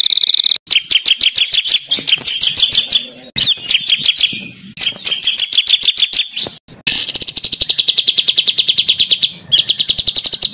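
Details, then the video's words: Harsh rolling songbird material recorded as a master for training contest birds: bursts of rapid chattering notes separated by brief breaks, ending in a long high, even rolling trill. "INI DIA BURUNG MASTERAN KASARAN NGEROLL || MASTERAN MEWAH UNTUK ISIAN BURUNG LOMBA"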